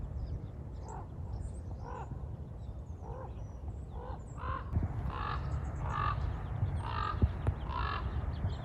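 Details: Two common ravens at Nalle Bunny Run Wildlife Preserve, central Texas, on a very cold morning (about 31°F) on 9 January 2021: hoarse, deep croaks about a second apart, louder and quicker toward the end, over steady low wind rumble.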